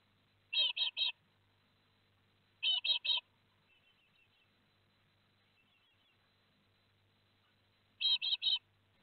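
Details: Great tit fledglings, four young leaving the nest at Théding, France, on 17 July 2020; groups of three quick high chirps, repeated about every two seconds, with faint softer twittering between and a low hum.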